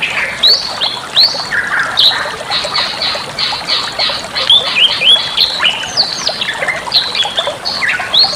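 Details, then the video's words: Bali myna master song for training birds: long, varied stream of loud whistles, rapid upslurred notes and harsh grating chatter, delivered almost without pause, with steady background hiss. "suara masteran burung jalak bali"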